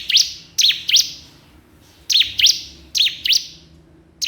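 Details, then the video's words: High, sharp chirps from a crystal prinia calling a rival, delivered in triplets and pairs, each note a quick buzzy sweep, with short quiet gaps. "cikris/ciblek kristal gacor memanggil lawan"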